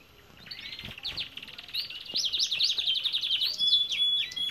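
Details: Belgian canary song from an aviary, a fast run of high, rapidly repeated twittering syllables that grows louder, ending in a few clear whistled notes.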